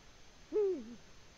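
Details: Single hoot of a Eurasian eagle-owl in its Latvian nest, February 2020: steep rise, brief steady tone, then a gradual downward slur, clear above a calm background.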